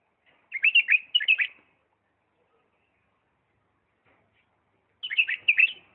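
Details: Bulbul of Diyala singing 'lisanat' style song: a lively double phrase of tumbling warbled notes, then a pause of over three seconds before another similar phrase.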